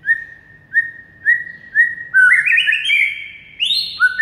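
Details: White-rumped shama masteran song meant to spur a quiet bird into song: four evenly spaced, short whistled notes repeated about every half second, then a richer rising warbled phrase and a final high swoop.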